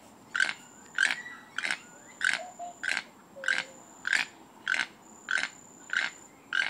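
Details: Toucan giving its mating song: short hoarse frog-like croaks repeated steadily about every 0.6 seconds, eleven in a row, over a faint steady high hiss.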